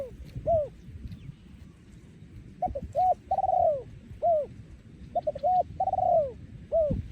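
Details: Spotted dove, a breeding male recorded in Thailand in 2023, in the yon khu ang song style: low coos, some short and hooked, others drawn out, in clusters about every second. A low background rumble runs underneath.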